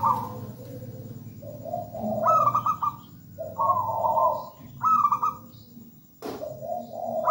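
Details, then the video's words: Zebra dove of a local strain in full song: repeated phrases of rapid high trilled notes sliding into lower bubbling coos, with one sharp click near the end and faint hum. "PERKUTUT GACOR MERDU MEWAH"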